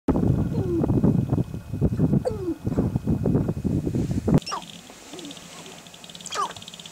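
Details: Several male sharp-tailed grouse (Tympanuchus phasianellus) displaying on a lek in the Nebraska sandhills: dense low clucking and rumbling bursts, then a couple of sharp, quickly falling whoops over faint background noise.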